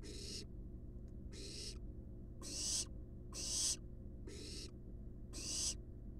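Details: Six rough, airy hisses from resting wild barn owl nestlings in a monitored nest box, some louder and longer than others, above a faint steady hum.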